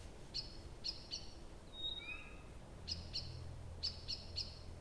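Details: Night song of a nightingale in Abramtsevo, early June 2021, taped from 23:00 on 6 June: bursts of crisp high clicks in twos and threes around a short whistled glide, over a low background hum.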